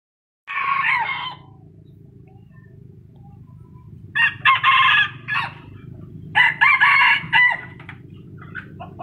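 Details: Chicken kept as a decoy bird, crowing: a loud harsh crow near the start, then two bursts of broken, repeated crowing notes later, over a steady low hum.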